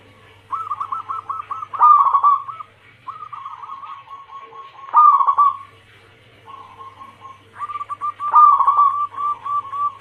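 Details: Zebra dove, local and Bangkok crossing cemani strains, female calling the male, recorded as a lure: rapid staccato rolling coos in four bursts over ten seconds, notes beaded into quick trills, with a faint steady low hum beneath.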